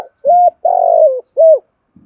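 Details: Spotted dove coo meant to encourage other doves to coo: a single loud phrase of a short flat note, a long throaty rolling coo and a rounded final note, with a soft knock after it.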